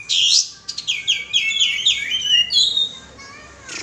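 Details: Kapas tembak bulbul luring call: a loud rushing burst, then a tumbling cluster of quick high chirps and slurred whistles that trails off into quiet.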